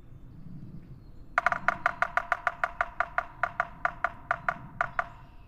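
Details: A Yellow-bellied Sapsucker gives territorial drumming of about eighteen sharp knocks over four seconds: a quick opening burst breaking into an uneven, stuttering pace, with a faint low hum underneath.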